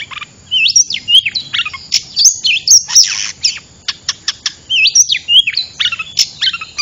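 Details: Oriental magpie-robin lure sound for bird trapping, a loud varied stream of clear whistles, rising and falling slurred notes and sharp clicks, delivered in quick bursts with short gaps.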